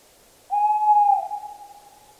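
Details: Single level hoot from a Tawny owl, smooth and whistle-like for nearly a second, dipping slightly at the close and leaving a soft reverberant tail.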